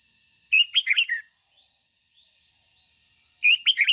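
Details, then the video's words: Red-whiskered bulbul decoy bird in the fired-up 'ché' singing style, used to train caged bulbuls: two bursts of four or five liquid, warbled whistled notes about three seconds apart over a faint steady high whine. "Luyện chào mào mồi hót ché căng - Ép chào mào hót sáng kích bổi già rừng ,chim nhà nhanh căng"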